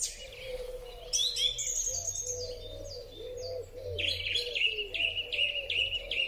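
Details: Spring song of a song thrush on a Huawei P30 Pro recording: scratchy high phrases, then a short note repeated rapidly about six times, over a continuous low cooing in the background.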